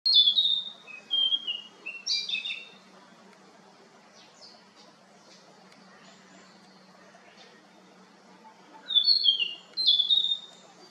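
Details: Narcissus flycatcher (Ficedula narcissina), Kinugasayama Park, Japan, 4 June 2019: quick, high, warbled whistled phrases in two bursts about eight seconds apart, with a soft low hum beneath.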